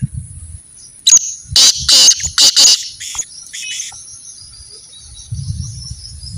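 A black francolin gives one harsh, grating phrase of about five rasping notes over two seconds, over a steady high electronic whine and a low rumble.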